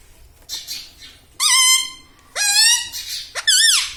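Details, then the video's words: Pet ring-necked parrot, said to talk and say mummy, papa and radhe radhe, gives three loud harmonic squawking utterances, the first flat and level, the later ones rising then bending, with quiet room noise between. "parrot talking mithu ||tag name parrot voice||"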